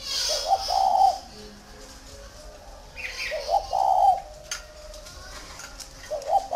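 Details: Large spotted dove, tame with strangers, at a northern Vietnamese dove farm in Ba Vì: repeated throaty coos, a short note then a longer warbling coo, roughly every three seconds, with light chirping behind.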